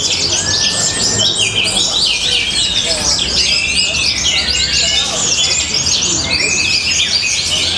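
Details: Orange-headed thrush, a hobby bird from Tabanan, Bali, Indonesia, delivering a powerful, rhythmic song: a thick run of quick high chirps and sweeping whistles, with a drawn-out lower slurred whistle early on and again midway.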